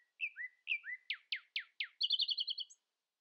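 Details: Common nightingale in morning song, keeping its voice above rivals: paired slurred whistles, four loud, sharp downward strokes, then a rapid, even trill of doubled notes.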